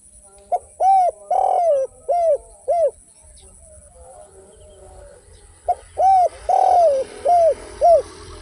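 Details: Spotted dove song in the tanpa kuk and kuk 1 styles: two bursts of soft, rounded coos, one longer drawn-out note within each phrase, a quiet gap between them and faint rustling in the background.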